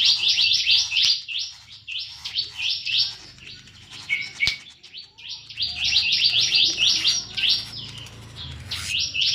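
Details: Singing in full ngobra, a caged plain-throated sunbird from Subang pours out rapid bursts of high, sharp, slightly buzzy chirps, about three or four a second. The bursts break into short gaps and restart. A single click is heard.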